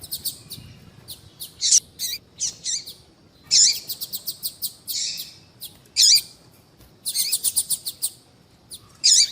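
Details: Female Coleiro baiano calling a lot, used to excite and stimulate males; high chirps and short rapid trills in irregular bursts, some notes with a lower buzzy tail.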